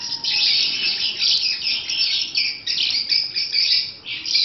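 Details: Pet African lovebirds in breeding season chatter nonstop, a harsh, high, buzzy twitter that swells and dips in waves every second or so.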